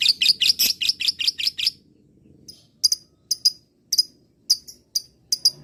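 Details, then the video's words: Caged lovebird's ngekek, a rapid burst of shrill high notes lasting over a second, then sparse sharp chirps spaced about half a second apart; used as a lure to make other lovebirds respond. "masteran pancingan suara LOVEBIRD ini. LOVEBIRD mu akan segera nyaut dan ngekek panjang"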